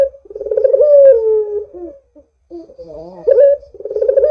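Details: Pulsed rolling coo of a Barbary dove, meant as a lure for doves to call, falls away into a wavering note, pauses briefly, then starts another rising throbbing coo.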